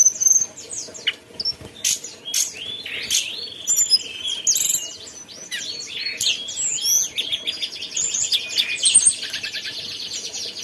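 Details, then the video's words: Mountain tailorbird in lively, continuous song: a dense stream of high, thin chirps, quick rising and falling whistles and rapid trills, nearly unbroken for the whole stretch, with faint background hiss. "tledekan gunung gacor ocehannya"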